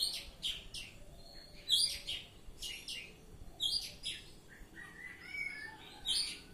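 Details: Oriental magpie-robin, ngeplong song style, delivering loud, repeated rasping high notes in quick clusters about once a second, then a run of clear slurred whistles before the harsh bursts return.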